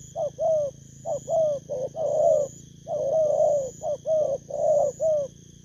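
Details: Spotted dove from the wild cooing almost continuously; mellow hoots crowd together in quick, overlapping phrases over a faint steady hum.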